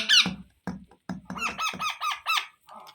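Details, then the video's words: Pet Indian ringneck parrots indoors, an adult feeding its young by eating first and then feeding them mouth to mouth; a series of hoarse, arched calls repeated about every quarter second, after a few soft thuds and a human voice at the start. "Ringnaeck Parrot Natural Sounds | Baby Parrot Sounds"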